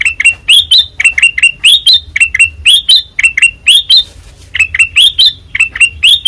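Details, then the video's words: Black-crested bulbul of the white-eyed form, called kutilang emas, delivering loud ringing ngeplong phrases: crisp, slightly rising chirps strung in rapid groups, briefly pausing near the four-second mark before resuming. "Suara Asli Ngeplong Kutilang Emas Mata Putih Gacor Dor"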